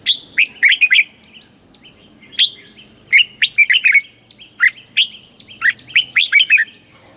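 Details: Caged red-whiskered bulbul from Thailand in the southern master song style, played to excite caged birds and teach young birds, giving bright, loud whistled phrases of quick chirping notes in three bursts separated by short pauses.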